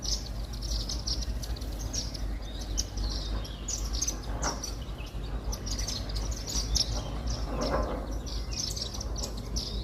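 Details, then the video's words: White-throated munias (Indian silverbills) feeding on millet grains at a garden bird feeder, giving a steady stream of thin, high, overlapping chirps from several birds, with occasional lower soft sounds in the background. "Indian Silverbill bird 🐦chirping sound | White throated Munia birds eating millets🌾"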